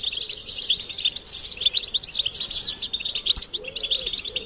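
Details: Many European goldfinches twittering together in a stimulation recording, described as mating and readiness calls meant to make a silent male sing: dense, fast, high tinkling chirps and trills without pause, with soft low dove coos behind.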